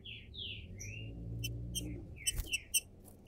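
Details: ['Green-winged saltator kept in captivity in Brazil, opening its song with a few soft slurred whistles, followed by sharp clicking notes and short bright chips over low background hum.']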